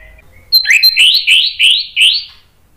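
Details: Orange-headed thrush in full 'gacor' song. After two soft lead-in notes comes one phrase of five quick, rising, slurred whistles in steady succession, clear and close.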